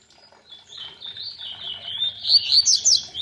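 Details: Double-collared seedeater singing with a waterfall in the background; a long, bright, high warbling song building in volume, with rapid slurred whistles and sharp chirps tumbling over each other, and faint water splashing beneath.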